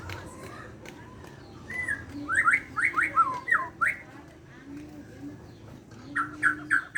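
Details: Morning singing by a Borneo white-rumped shama: a string of sharp, swooping whistled notes roughly three per second, a short pause, then another fast burst; low hum underneath.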